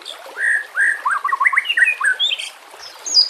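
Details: White-rumped shama song offered as a training master, set against nature sounds with trickling water: a series of clear whistled phrases, some rising, others with quick downward flicks, followed by a higher, fainter note at the end.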